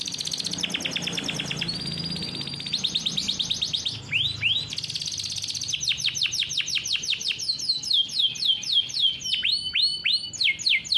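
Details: Captive-bred canary singing a long, fast rolling song meant for tutoring young canaries; dense rattling trills alternate with clear downward-sliding whistles and rising hooked notes, a steady high, unbroken flow with faint low hum beneath.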